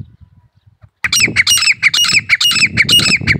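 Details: Grey francolin (desi teetar) calling: after a second of quiet, a loud, harsh, rapidly repeated series of ringing notes, about six cycles in two and a half seconds.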